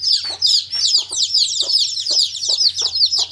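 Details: Baby chicks chirping as a group: dense, high, rapid peeping notes overlapping continuously, with short soft lower thumps or scuffles recurring roughly every half second beneath them.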